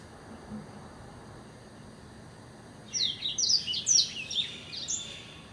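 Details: Blackthroat singing: after a quiet start, a quick run of very high, thin, sharp notes, about two per second, lasting nearly three seconds.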